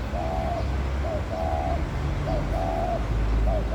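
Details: Laughing dove courtship: soft, low cooing notes, a few drawn-out coos alternating with short ones, over a steady low background rumble.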